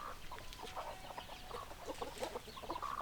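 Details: Hens clucking in a dense, continuous chatter of short, overlapping notes, several birds calling at once, fairly close and loud.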